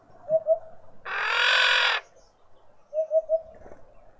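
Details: Female Red-winged Starling with an injured or deformed beak, at a feeder in a suburban garden in Pretoria, South Africa: soft, low whistled notes, first a pair, then a quick run of three, split by a loud burst of rushing noise.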